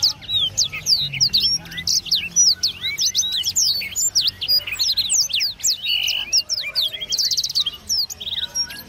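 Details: Prize-winning captive blackthroat, a competition winner, singing a fast, varied, rhythmic song of high sweeping whistles, sharp upslurs and quick trilled bursts, with little pause between phrases.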